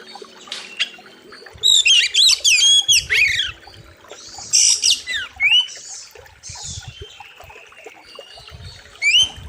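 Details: Oriental magpie-robin (kacer) song used as a master recording for training birds, labelled fierce and loud: bursts of varied high whistles, harsh rasping notes and rising sweeps in loud phrases, with quieter gaps and faint background rustle.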